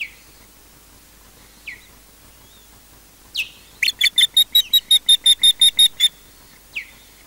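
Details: Nesting osprey at Loch Garten, Scotland, defending against an intruding osprey: a few isolated downslurred whistles, then a fast, regular run of about a dozen piercing, high yelping notes, then one more slurred whistle.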